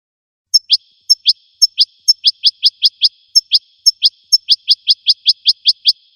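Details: American goldfinch, wild, giving spaced pairs of a sharp high tick and a rising chirp, then a steady string of rising chirps about every fifth of a second. The background is quiet.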